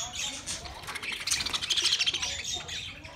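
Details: Budgerigar chatter from 13 March 2024: rapid squeaky chirps and warbled phrases, growing denser and louder toward the middle.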